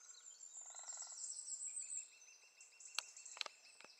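Lesser spotted woodpecker: a quick run of thin, high, evenly spaced 'kee' notes over a steady high hiss of background insects, with a few sharp clicks near the end.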